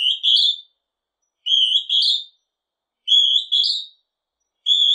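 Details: Northern hawk-cuckoo giving loud, high two-part whistles, each a rising note followed by a higher one. Three full phrases come about one and a half seconds apart before a fourth begins. No other sounds are present.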